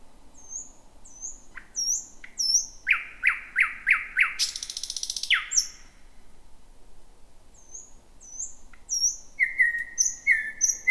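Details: Thrush nightingale singing in 2026 at night near midnight in a dense, jungle-like thicket: high thin whistles, a series of loud hard chock notes, a harsh buzzy rattle, then more high whistles and flat repeated notes.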